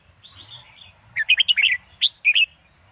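A red-whiskered bulbul gives a lively burst of rich, bubbling whistled phrases, several quick notes rising and falling, after a few softer warbles.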